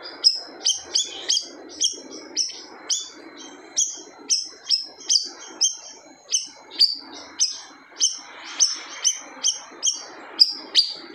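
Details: Siri-siri bird in persistent, aggressive song said to hush other birds; a prolonged sequence of piercing, downward-flicking high notes, some doubled, running steadily with light background hiss.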